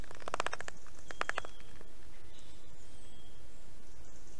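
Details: Morning at a Black stork nest in Estonia, 19 July 2021, with fish being brought in: two quick bursts of harsh, rattling pulses in the first second and a half, then background hiss and a thin distant birdsong.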